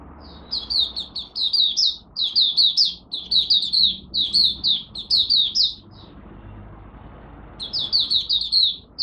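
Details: First daily warm-up singing by a Malaysian oriental white-eye (mata puteh), 1 August 2023. High chirpy notes follow in a long, almost continuous twittering stream, then a pause and a fresh burst, over faint low hum.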